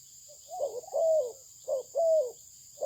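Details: Spotted dove from a Malaysian breed line: a soft lead-in note, then a rising-and-falling drawn coo, repeated after a short gap, mellow and low, over faint steady whine.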